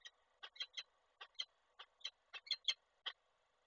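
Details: A male peregrine falcon arrives with prey for the female in Koszalin, Poland, 29 November 2023, and she does not accept it. Rapid, excited, harsh notes come in uneven clusters, several close together, loud over quiet hiss.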